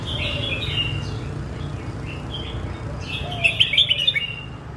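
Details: Red-whiskered bulbul singing in the song styles called Phet and Prachathipat: short warbled, slurred phrases at mid-high pitch, then a louder cluster of quick bright notes near the end, over a steady low rumble.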